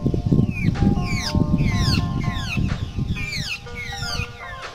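Large grey babblers give quick, sharp, downward-sweeping calls, several each second, over a steady low rumble and some faint background tones.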